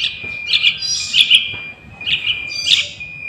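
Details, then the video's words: Young sooty-headed bulbul, sound used to lure wild birds, calling with loud buzzy, rasping chirps in two bursts separated by a short pause, over a continuous thin high tone. "Suara Anak Burung Trucukan"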